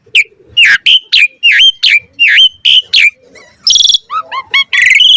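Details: Asian pied starling delivering vigorous varied song meant to stimulate other starlings: a run of about eight loud downslurred-upslurred whistles at steady intervals, then a harsh buzzy burst and quick hooked notes.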